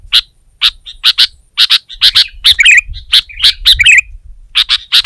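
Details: Sooty-headed bulbul singing loudly to press a rival. Rapid sharp chirps, some doubled, are interspersed with brief gurgling warbled phrases over a soft low background hum.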